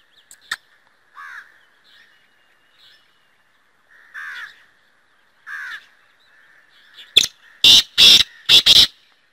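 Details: Kala Teetar, the black francolin, delivers a harsh, scratchy phrase near the end: a sharp opening note and then four grating notes in fast succession, preceded by several seconds of soft, falling chirps from other birds.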